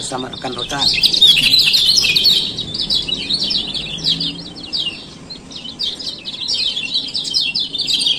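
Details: Male lemon-bellied white-eye from Lombok giving rapid 'ciak ciak' chirps, used as a lure to make silent caged birds sing again: dense, high, twittering notes in quick bursts, with faint low murmurs at the start.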